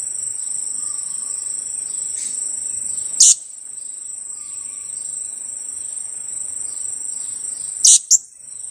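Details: Lure bird: a two-week-old blue-crowned hanging parrot chick calls piercing high kiak notes, a single burst then a quick double, separated by several seconds of continuous insect drone.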